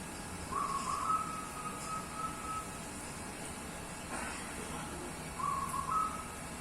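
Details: Local wild Javan zebra dove of the Pendowo Mijil type, 15 tail feathers, giving a long, soft, wavering coo that lasts about two seconds, then a shorter trilled phrase after a pause, against constant low hiss.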